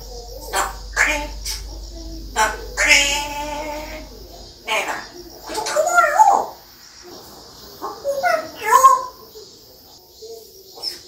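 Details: African grey parrot, a species known for mimicking sounds and repeating words, producing a run of speech-like syllables with bright harmonic tones and sharp whistled inflections, separated by short pauses indoors.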